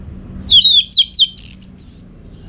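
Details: Song of an orange-headed thrush, played to train contest birds: three falling whistled slurs, then a burst of shrill notes and a final long, level high whistle.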